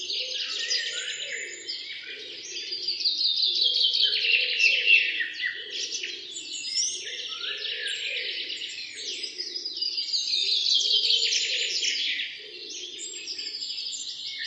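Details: Morning chorus of wild birds: dense overlapping high twittering and chirping, fast warbled phrases rising and falling without pause, with a softer lower pulsing tone repeating underneath.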